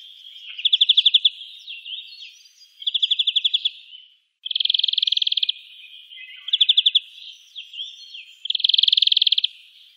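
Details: European greenfinch in the town of Wittlich, Germany, 2018, singing rapid trilled rattles of quick repeated notes, some slower and some fast and dense, alternating with soft twitters and slurred whistles over about ten seconds.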